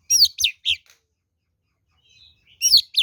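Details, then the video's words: A fighting oriental magpie-robin, its song used as a lure to provoke answers: three quick, loud whistled notes sliding downward, a long pause with a soft faint warble, then another bright phrase. "SUARA BURUNG kacer gacor NGEPLONG TARUNG ini paling AMPUH buat PANCINGAN kacer NYAUT EMOSI"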